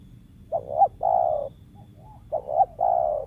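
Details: Wild spotted dove prized as a lure, its voice said to sometimes stutter and give kuk 1-2 phrasing; two cooing phrases, each a quick double note followed by a long, steady, mellow coo, about 1.8 seconds apart.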